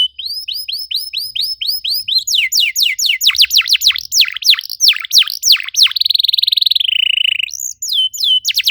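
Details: Canary singing meant to trigger song in other canaries: quick rising chirps, then dense trilled downslurred sweeps, a sustained buzzy rolling trill near mid-high pitch, ending in rising whistled notes; rich, varied phrases without background noise.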